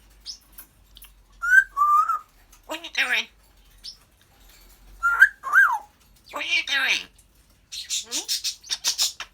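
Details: Pet African grey parrot talking, laughing and burping in a room. Bursts of mimicked, speech-like phrases are broken by short bright whistles, some rising and some falling, with a scratchy run of notes at the end.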